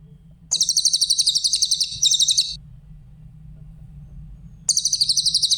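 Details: High, quickly beating trills from a Grey-headed canary-flycatcher, two close together and a third after a two-second pause, over a low hum; a tutoring recording for songbirds.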